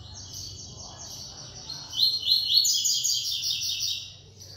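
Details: A captive Double-collared seedeater, just back from a tournament where it placed third, sings on 8 December around 10:40–11 am: a fast, high, buzzy trill of rapid repeated notes that grows louder and rises in pitch partway through.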